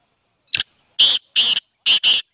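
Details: Black francolin, also called kala teetar or black partridge, singing: a short phrase of five harsh, grating, broadband notes, a single clipped note followed by two longer rasping notes and a quick closing pair, over a quiet background.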